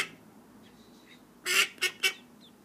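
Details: Call duck ducklings: three loud, harsh, broadband calls in quick succession after a quiet start with a few faint high peeps.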